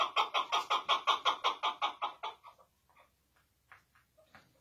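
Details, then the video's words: A chukar partridge gives a fast run of harsh, clucking notes, about a dozen in two and a half seconds, fading into a few scattered softer chucks. "Böyle Keklik Sesi Hıngırması Görülmemiştir. Maşallah Süper Keklik Sesi"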